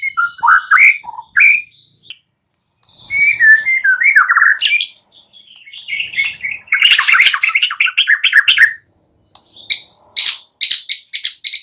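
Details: White-rumped shama singing in the morning to stimulate silent birds: fast, varied phrases mixing whistles, harsh scratchy notes and chattering bursts, delivered rapidly with brief gaps.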